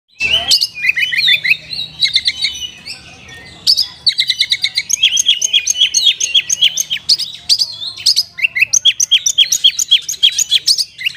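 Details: Oriental magpie-robin (kacer), a prolific 'gacor' singer with rich 'isian' content, recorded as a lure to rouse sluggish caged kacer. Fast, varied high chirps and whistled phrases repeat rapidly after a brief opening burst.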